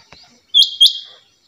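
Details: Female rain quail uttering a single quick double note, two bright high upswept notes close together, with a faint click before.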